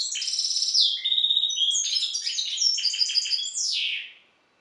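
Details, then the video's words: Hybrid goldfinch of Balkan Carduelis carduelis balcanica descent, bred in captivity, delivering a continuous, varied stream of sharp chirps, short whistled slurs and liquid twitters, closing with a buzzy downslurred note. "Śpiew bastarda po C.c. Balcanika"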